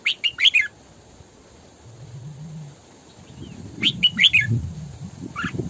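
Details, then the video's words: Decoy female Red-whiskered bulbul used for training and trapping: two quick bursts of bright warbled notes, the first at the very start and the second near the end, separated by quiet, with soft low humming. "Tiếng Chim Chào Mào Mồi Hót Sổ Bọng Căng"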